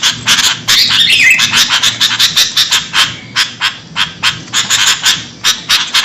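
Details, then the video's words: Noisy sooty-headed bulbul calls for luring birds: a quick series of harsh, scratchy notes with a brief whistled slur early on, about three notes per second. "Suara burung kutilang ribut buat mikat"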